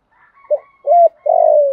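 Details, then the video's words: Spotted dove challenge cooing meant to train decoys: a brief low note, a rising-level coo, then a long steadily falling coo, with a faint thin higher tone running behind. "chim cu gáy thúc đấu và gù đấu kích bổi rất lẹ gáy. tiếng chim cu gáy dùng luyện mồi gáy theo"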